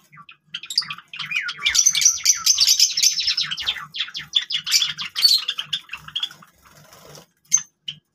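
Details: Several Java sparrows playing with grass chatter in a fast, steady stream of high clicking chirps and twittering notes, slowing to a few isolated chips at the end.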